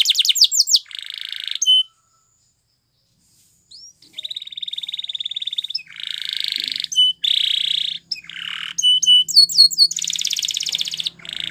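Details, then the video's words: Canary training song: brief rapid whistled sweeps, a silent pause, then long, buzzy, even trills at varying pitches, broken by short clicks and ending with quick repeated high whistled notes. "Unexpectedly, The Sound Of This Canary Attracted Many Canaries To Song"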